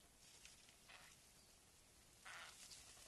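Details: A Eurasian jay, recorded by a trail camera in the Kolín area in 2012, gives three harsh, raspy screeches, the last one loudest, spaced unevenly over a few seconds against a quiet outdoor background.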